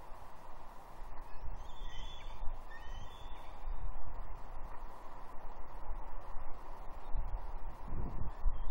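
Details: Juvenile female bald eagle at Two Harbors, Catalina, 30 June 2021, perched on a tree mantling and squeeing at her father for fish. Thin high drawn-out squealing wails in short bursts over steady wind rumble.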